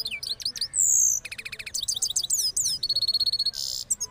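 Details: Rolling song of a cross goldfinch after moulting, Parachinar: high slurred whistles, a long sustained note, then fast even trills and buzzy repeated chips packed tightly together.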